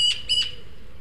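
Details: Young Eurasian magpie begging at a feeder in El Retiro, Madrid, one of three juveniles, two of which beg food from the third; two loud, harsh, rasping squawks in quick succession.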